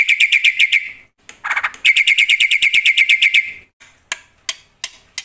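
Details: Black-winged myna singing loudly to spur other mynas: a quick string of bright repeated chips, a short harsh burst, another rapid chip series, then a few scattered sharp clicks.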